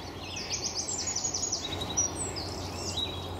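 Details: Eurasian siskins, a flock feeding in Cassiobury Park in the morning, give a steady chatter of thin, high twitters and wheezy notes that overlap throughout, over a low background hum.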